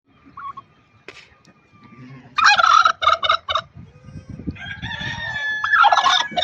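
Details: Angry turkey hen kept as a pet bird in Buner, Khyber Pakhtunkhwa, giving harsh, broadband rattling gobble bursts after soft low clucks, with a fainter second rattling burst near the end.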